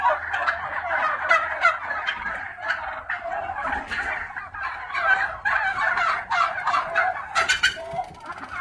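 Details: Black Spanish turkeys at a hatchery: a continuous chorus of rattling gobbles and chatter from several birds, dense and overlapping throughout, with a brief sharp clatter near the end.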